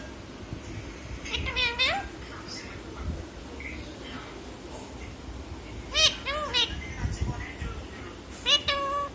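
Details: Pet parrot imitating a cat's meow; three groups of nasal, rising-then-falling harmonic mew-like calls, a pair near the start, more around the middle and one at the end, over steady low background hum in a room.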